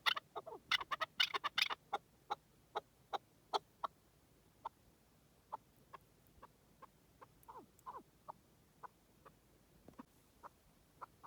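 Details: Wild partridge. A quick flurry of rough clucks is followed by thin, spaced single notes roughly every half second that gradually fade.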